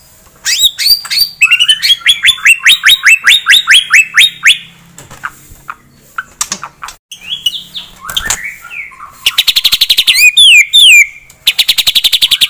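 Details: A white-rumped shama delivering tembakan song to stir a rival's anger: long rapid series of loud repeated chirps, a lower varied interlude, then dense buzzy trills and swooping high notes, all clear and close.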